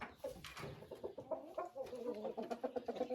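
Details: A hen calls very loudly with rapid, repeated nasal clucks, about four each second; she has been crying for about an hour, and the owner suspects she cannot lay her egg.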